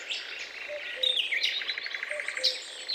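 Guira cuckoo: a busy tangle of high, overlapping chirps and chatter, with a quick rattling burst of notes in the middle and faint low whistles underneath.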